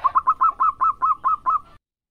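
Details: Zebra dove, local bird, singing: nine quick, rounded coo notes, each rising then dipping, delivered in an even, rolling run.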